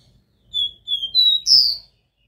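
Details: Copper seedeater singing the pure Dó Ré Mi song style, used to stimulate a captive bird: four clear whistled notes in under a second and a half, each stepping higher, ending on the loudest and highest note. No other sounds.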